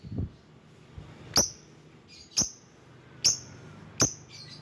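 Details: Lovebird lure calls for summoning rivals, fairly quiet: four sharp, needle-thin chirps spaced about a second apart, each followed by a faint squeaky trail, over low background hum.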